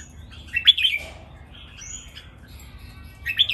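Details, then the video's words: Caged red-whiskered bulbul with two brief bursts of sharp whistled notes at the start and end, and faint chirps and a thin high whistle between them. "นกกรงหัวจุก เจ้าขุนอินทร์ VS เจ้าขวานฟ้า VS เจ้าขุนไกร เสียงร้องเล่นเต้นริกเบิ้ล นับดอก แม่บท"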